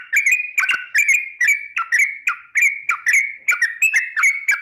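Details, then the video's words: Sooty-headed bulbul singing in the long 'ropel panjang' style, used as a lure to make birds sing: a steady run of whistled, slurred notes, each note dropping at its end, repeated about twice per second. "Trucuk gacar ROPEL PANJANG pancingan trucuk agar BUNYI, jadikan burung trucuk BUNYI ROPEL"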